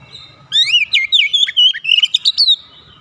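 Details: Home-kept caged Oriental magpie-robin, used as therapy to get a silent bird singing: one continuous two-second burst of rich, fast whistled phrases, rising slurs and twisting notes, after a quiet start.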